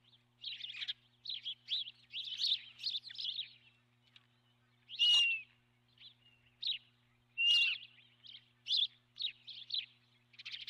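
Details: Osprey at the nest, captured on a nest camera on the morning of 12 March 2016; loud bursts of high, piping chirps in rapid runs, broken by a few longer slurred whistles, with a faint low hum.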